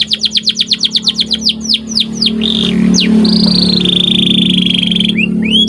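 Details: Canary training song from a white canary: a run of quick downward swoops, slower slurred notes, then a long level whistled trill ending in two upward chirps, over a constant low electrical hum.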